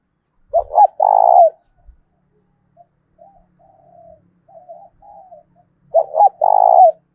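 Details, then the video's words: A decoy spotted dove with a 'thổ' voice repeats its cooing phrase to make wild doves coo back. A loud throaty phrase is followed by a string of soft hollow notes, then the loud phrase again. "Chim Cu Mồi Gáy Kích Chim Gáy Hiệu Quả Hàng Ngày, cu gay kich boi nhanh noi gù"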